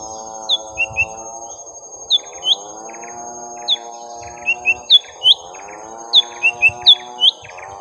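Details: Lesser green leafbird, young, in a long contest with a rival: crisp, high downslurred whistles in bursts of two to four, about every two seconds, above a continuous wavering low drone.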